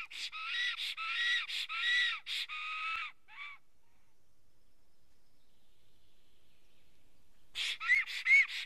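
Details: Black stork disturbed by an intruder near its nest in Karula, Estonia, on a live camera, 19 May 2017, 11:10, before the first chick hatches: a fast series of harsh whistled notes, a few seconds of silence, then another burst.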